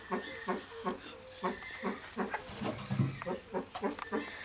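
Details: Displaying Satyr tragopan in a pheasant breeding farm: steady series of hoarse, goat-like pulsed bleats repeated roughly every 0.4 seconds, over a thin whistled tone from another bird and a brief low thud midway.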